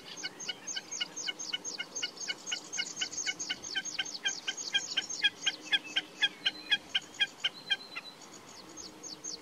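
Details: Common snipe giving a long series of sharp, clipped, ticking notes, about two per second in a steady rhythm, growing slightly louder and more spaced toward the end of the nine-second run, with faint background hiss.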